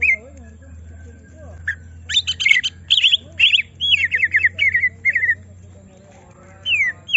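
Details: Greater green leafbird in a cage, stirred into song: harsh rattling bursts, then a run of descending whistled notes over a steady low hum.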